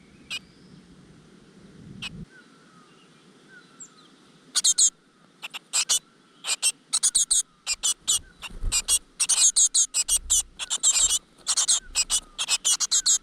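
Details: Great tit nestlings in a nest in a rock crevice, fed insects by their mother, burst into rapid, high, hissing begging calls in dense repeated bursts after a quiet start with a few faint chirps.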